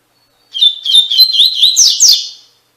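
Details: Double-collared seedeater tutor song in the Tui Tui Fibra style, meant for captive birds. Clear, high whistled notes speed up into rapid rising-and-falling slurs and finish on a fading held tone, about two seconds long, with silent background.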